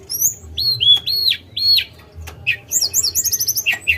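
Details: Lesser shortwing song of three arched, looping whistles, a pause, then a fast high twittering series of repeated notes.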